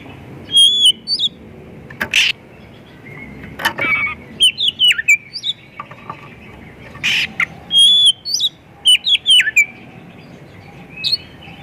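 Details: Oriental magpie-robin singing as a lure to get other magpie-robins to sing. Clear, high whistled notes mixed with short harsh rasping bursts, given in spaced phrases over a steady low background hiss.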